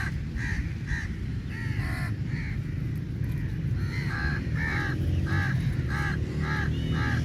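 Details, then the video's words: Many crows fight for meat as food is given; a run of rasping caws, some overlapping, comes irregularly over nearly seven seconds with heavy low-pitched background noise throughout. "Crow Birds Fight For Meat | Large Number Of Crows Naturally Awaz"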